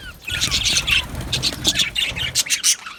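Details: Budgerigar colony in an Australian aviary: clear squeaky chirps and short whistled notes, some sliding downward, rising from quiet into lively chattering over a few seconds.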